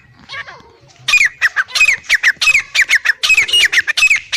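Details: After a quiet, faint opening second, a male and female Black francolin break into a fast run of loud, raspy, down-slurred notes repeated about three times a second.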